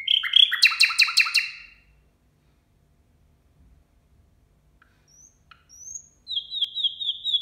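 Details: Nightingale singing at New Year: a loud burst of rapid, dry rattling notes, then near silence and a few thin high whistles, ending in a run of quickly repeated clear whistled notes.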